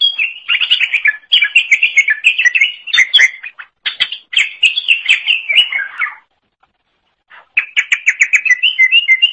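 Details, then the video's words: Energetic song of a cucak ijo, or green leafbird, recorded as a tutor for songbirds: long rapid sequences of sharp chirps and whistles, about three or four notes per second, broken by one pause before a final fast volley. "Kicauan Super Cucak Ijo Gacor Untuk Masteran"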